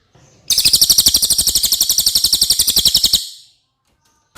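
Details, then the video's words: Cililin singing, recorded as tutoring material for competition birds: a fast, high-pitched rattling trill of many even pulses for nearly three seconds, ending abruptly, with a faint click afterward. "suara asli burung cililin"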